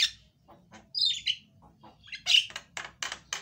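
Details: Loud Javan myna song, played to stir a silent myna into song, mixing a high bright whistle, grating squawks and a string of short harsh notes spaced about every quarter second near the end.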